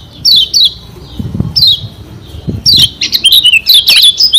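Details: Lombok white-eye kept in a cage, singing to provoke rivals: scattered high falling whistles with quiet gaps and faint low thumps, ending in a busier run of twittering, slurred notes.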